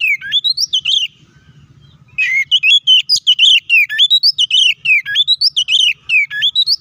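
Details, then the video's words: White-rumped shama, kacer, in a fighting song used to provoke other shamas; energetic, nearly continuous rapid whistles and chattering notes, rising and falling, repeated in quick phrases with one short pause. "KACER GACOR NGEPLONG TARUNG KONSLET❗PALING AMPUH BUAT PANCINGAN KACER AGAR EMOSI!"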